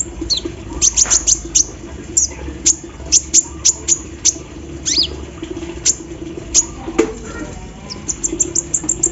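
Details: Morning-dewed kolibri ninja sunbird singing eagerly with machine-like mimicry: quick runs of sharp high ticks and chips, clustered then spaced out, a louder clap-like click near the seventh second, a steady low hum throughout.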